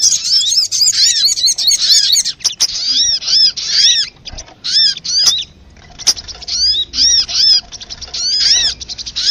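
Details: Lure call for sunbirds, intended to attract them and get them singing: a dense opening chatter, then separate high arched chirps in small clusters roughly every second, with a short lull near six seconds.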